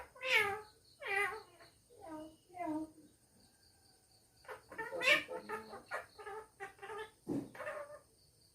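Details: A pet parrot talking at home indoors, giving speech-like harmonic phrases in two bursts, four short syllables, a pause, then a quicker run of about eight syllables ending in a lower note.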